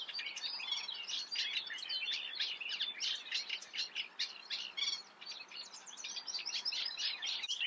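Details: Eurasian reed warbler singing in the Eifel region: a continuous, chattering stream of scratchy, repeated notes in short rhythmic bursts, each phrase often repeated two or three times, with no other clear sounds.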